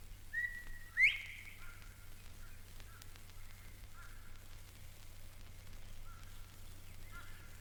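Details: Male Eastern Meadowlark of the grassy fringes of Mountain Lake Sanctuary, Lake Wales, Florida, from a 1970 record: a far-reaching whistled phrase ending in a sharp bright slur, then softer whistles, over a low hum.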